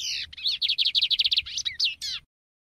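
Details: Lined Seedeater delivering a rapid series of crisp repeated notes framed by a few slurred whistles at the start and end, over a faint steady low hum.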